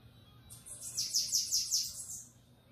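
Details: Bananaquit singing in the Belga song style: a short, very high, buzzy trill of about six rapid sweeping notes, then fading, over a low steady hum.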